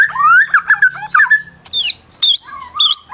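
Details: Medan White-rumped shama, a prize-winning caged bird whose song provokes silent shamas: a rich rising warble opens, then separate high sweeping notes alternate with lower whistles in a halting rhythm.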